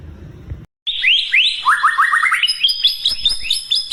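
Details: White-rumped shama lure song for prompting other shamas to sing, after a short gap: a rapid, tightly packed run of high repeated chirps and slurred whistles, about three notes a second, shifting pitch in stepped series.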